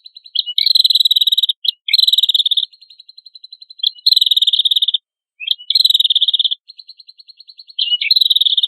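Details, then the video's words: Song of an ashy tailorbird for training songbirds: long buzzy high-pitched trills in bursts of about a second, linked by quiet ticking and brief gaps, with occasional short lower notes. "MASTERAN PRENJAK KEPALA MERAH GACOR"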